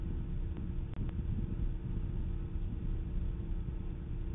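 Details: Steady low rumble like distant traffic or wind, with a couple of brief sharp clicks near the start and no animal voices.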